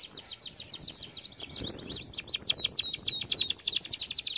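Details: Canary song used to train canaries: continuous rapid series of sliding V-shaped chirps, evenly repeated, over soft background noise.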